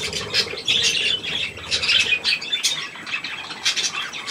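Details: Adult and young budgerigars at millet on 3 May 2024: raspy squawks and high chirps crowd together, with louder bursts every second or so and brief wing noise.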